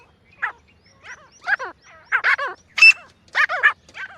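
A francolin gives harsh, grating, harmonic notes in an uneven run of about eight, some paired, over four seconds. Nothing else is heard.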